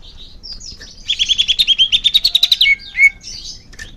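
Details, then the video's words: Leafbird singing for young-bird therapy: soft varied notes break into a fast regular rattle of about sixteen sharp chirps in under two seconds, then a clear whistle and scattered twitters. "suara kicau murai daun untuk terapi burung bakalan"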